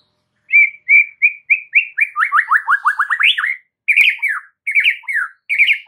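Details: White-rumped shama in a masteran recording used to provoke responses from other shamas: loud whistled song opening with five rising notes, then a fast descending run of slurred whistles, ending in twisting, warbled phrases.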